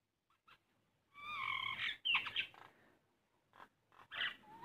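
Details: Common myna that visits a house window daily, known to mimic voices, singing a varied run of harmonic, nasal notes, a bright rising whistle and short gurgling chatter, with brief pauses between bursts.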